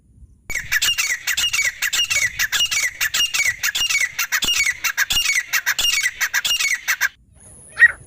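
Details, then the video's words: Calling partridge, a sound used to attract partridges for catching, gives a dense, rapid stream of harsh, grating notes for about six seconds. A final lone note follows after a pause, with faint rustling beneath. "एक से एक बढ़कर तीतर पकड़ने की आवाज! The sound of catching partridges is better than the other"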